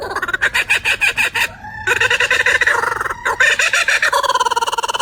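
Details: Laughing Kookaburra of Australia, a kingfisher that laughs in the mornings; rapid repeated hoo-hoo-ha cackles rising into a loud maniacal chorus, broken by short gaps, with bright stacked tones and rhythmic pulsing throughout.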